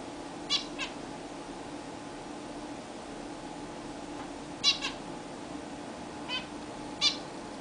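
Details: Caged zebra finches taking their first bath in a new, bigger cage give four short, nasal, bright calls spread across several seconds, some as quick doubles, over a steady low hum of room noise.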